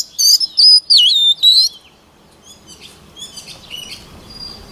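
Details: White-rumped shama voice-training song: three or four loud, clear looping whistles in under two seconds, then fading to faint, distant twitters over soft background noise.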